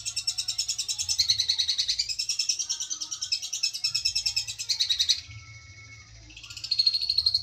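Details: Long-tailed shrike, a competition songbird described as a regency and national champion, delivering a dense, rapid run of high twittering and scratchy notes, briefly pausing to a faint thin tone before the chatter resumes.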